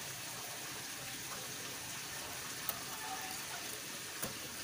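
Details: Quiet hiss of running water with two brief clicks, and no animal voice is heard.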